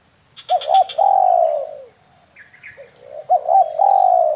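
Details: Spotted dove lure call for air-rifle hunting. Two phrases of quick stuttered coos, each ending in a long falling coo, with brief faint higher chirps between them.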